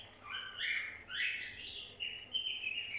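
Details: Pet cockatiels on a bathing day giving soft, scattered chirps and short squeaky notes that overlap, moderately quiet, with a faint hiss in the background.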